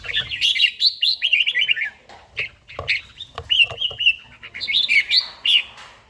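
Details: Morning song of a red-whiskered bulbul, an old bird with a forest voice, in daily song training: rapid run of liquid, rolling whistled notes, then a pause and further bright warbled phrases.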